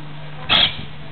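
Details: A monk parakeet (Myiopsitta monachus), recorded 17 July 2008, gives a single harsh, grating squawk lasting about a fifth of a second, over a steady low hum.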